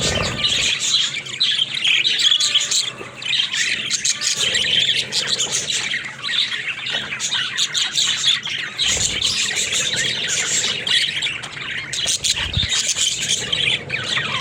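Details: Long stretch of budgerigar chatter: continuous buzzy, squeaky warbling and rapid chirps from several overlapping voices, steady in loudness throughout.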